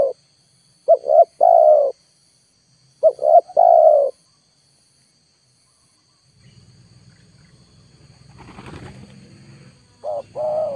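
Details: Spotted dove lure at full volume, wild birds still not coming down: three-part coo phrases repeated, then a gap filled by low rumbling noise before the call resumes, with a faint steady high whine.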